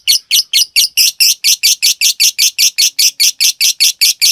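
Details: Ngetik-style lovebird chatter for training cage birds: a slower series of distinct, harsh, buzzy notes, evenly spaced and loud, each one a short rasping burst.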